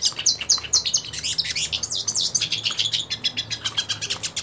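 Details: Purebred hooded siskin singing while wanting to fight another hooded siskin: a fast, continuous twittering of high chirps, trills and sweeping whistled notes, rapid notes about twice a second or faster, with a faint low hum beneath.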